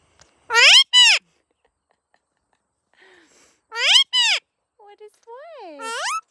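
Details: Indian ringneck parakeet outdoors: two loud paired squawks, a pause, another pair, then shorter rising and falling harmonic calls ending in a drawn-out screech.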